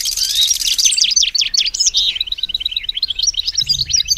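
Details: Hybrid European goldfinch in a cage pouring out a rapid, high-pitched jumble of trilled and twittered notes, slightly tinny in tone.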